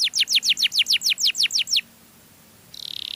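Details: Canary song for luring other canaries: about a dozen rapid down-slurred sweeps in under two seconds, a short silence, then a buzzy trill begins.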